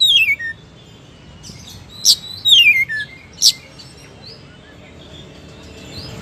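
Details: Oriental magpie-robin singing in bursts: a descending whistled slur, sharp clicking notes, another falling whistle and a click, then soft scattered notes over a quiet background.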